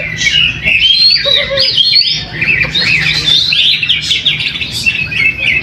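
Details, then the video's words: Greater green leafbird singing at a weekly practice contest in Trowulan, Mojokerto, where it took first place. Bright, quick whistled notes and twittering trills follow one another steadily amid a chorus of other competing birds. "AKSI PENAMPILAN EPIK BURUNG CUCAK HIJAU"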